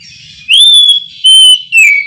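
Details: Night song of an Oriental magpie-robin: long, loud, pure whistles held steady at one pitch, then a short downward-sliding note, with a soft low hum underneath.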